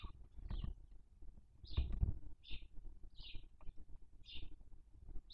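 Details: Nest of barn owls in Cabañeros National Park, the female eating a dead chick's body; harsh breathy hisses repeat roughly every half to one second, with soft low bumps and scuffling in the nest.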